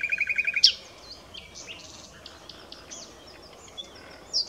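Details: A common nightingale gives a quick run of six or seven repeated notes ending in a sharp high click, then quiet scattered soft notes before another loud burst at the close.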